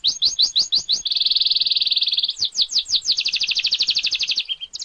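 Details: Clear canary song made as a master recording for tutoring songbirds: a few sharp sweeping notes, then a long fast buzzy trill, then quick rolling phrases of repeated notes at high pitch, steady and loud throughout.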